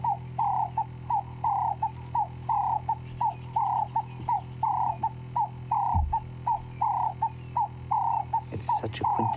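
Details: A ring-necked (Cape turtle) dove in the Sabi Sand bush at sunrise on 12 February 2016 repeats its husky "work harder" coos in a steady rhythm, roughly two per second, over a low constant hum, with a short clatter near the end.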